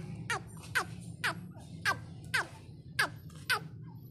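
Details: Female partridge (teetar) calls in loud, harsh, downward-sliding notes repeated roughly twice a second, seven in all, over a steady low background hum.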